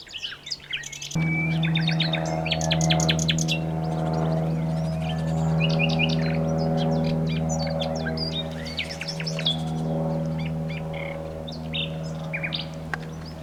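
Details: Common nightingale song of varied bursts, including quick repeated chirps, rattles and sudden whistled notes, heard over a loud, steady low humming drone that begins about a second in and continues to the end.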